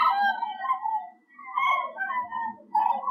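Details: Common cranes migrating high over the Werra valley near Herleshausen, Hesse, Germany, on an October 2020 afternoon, heading southwest from Scandinavia; loud, rolling trumpeting calls with strong harmonics come in three bursts with short gaps.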